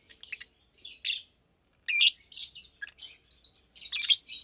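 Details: Daytime chirping from two caged adult Fischer's lovebirds about two years old: dense runs of shrill squeaky chirps and twittering notes, a brief pause in the middle, then more rapid chattering.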